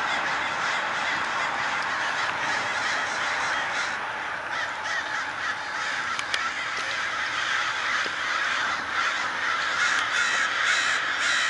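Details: A large crow swarm at sunrise swirls and dives, keeping up a constant noisy chorus of rough caws. Countless birds call over one another, with occasional sharper calls punching through the continuous din.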